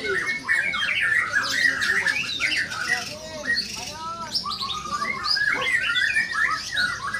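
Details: White-rumped shama singing a lively performance: quick chattering notes followed by clear, arched whistled phrases, then further varied trills, with other overlapping bird calls and faint voices in the background.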